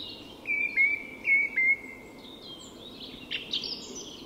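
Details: At dawn in Sweden's Tyresta National Park, a song thrush sings one short whistled phrase three times in quick succession, then softer scratchy notes; other birds call faintly in the distance.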